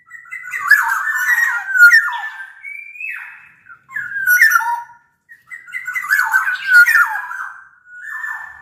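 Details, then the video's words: Energetic Sumbawa black-naped oriole used to coax lazy orioles into singing: rough, harsh-edged whistled phrases, one held flat note, and brief pauses between phrases. "Kepodang Lokal Gacor Suara Buat Pancingan Burung Kepodang Agar Bunyi."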